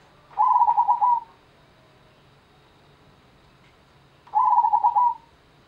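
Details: Perkutut (zebra dove), local bird, Gendowo Sabdo rhythm: a pair of clear trilled coo phrases separated by about three seconds of near silence, each a fast run of bubbling notes ending slightly lower.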